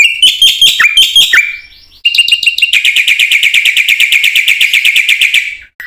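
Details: Black-winged myna singing in full, used as lure material to train other mynas; a few harsh whistled notes lead into a long, fast, even series of ringing chatter notes that ends abruptly.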